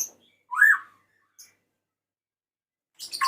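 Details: A single loud, arched whistled note from a male white-rumped shama calling the female, followed by a faint high click and the start of a fast, harsh burst at the end.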